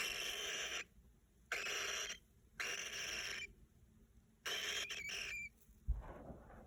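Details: A young pet cockatiel, 57 days old, makes baby sounds: harsh, raspy, hissing begging calls in four bursts of under a second, roughly one every second or so, with short quiet gaps between them.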